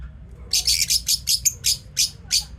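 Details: Pet lovebirds chirping as part of their daily routine, a run of about nine sharp, shrill squeaky notes spaced unevenly, some doubled, with a faint low hum behind.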